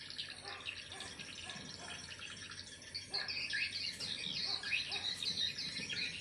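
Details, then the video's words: Swiftlet call sound, as used to attract swiftlets: a dense, overlapping chorus of high, thin chirps and twitters, several per second, with a faint background hiss throughout. "Suara walet"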